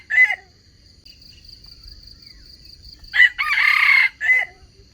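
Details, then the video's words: Red junglefowl lure crow for catching wild chickens: a short note, a pause, then a full crow with a strong first syllable, long rough middle and quick tail, set against a constant high-pitched insect hum. "Trap wild chickens with crowing voice, there is a bait"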